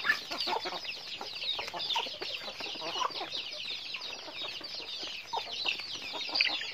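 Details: Chickens in their daily routine, producing a constant jumble of thin, high chirps and twittering peeps from numerous birds, overlapping without break, a little louder near the end.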